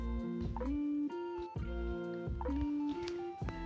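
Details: Plucked and strummed guitar music with sliding sustained notes.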